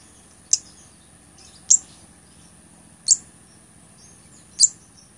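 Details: Blood-breasted flowerpecker (cabai gunung), recorded as a training tape for other songbirds and as a lure: four sharp, very high ticking notes, evenly spaced about every 1.3 seconds, over a steady high-pitched electronic whine.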